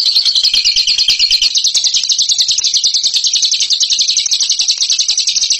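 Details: A champion bird in ngekek style pours out an unbroken, very fast, shrill chatter, steady and dense from start to finish.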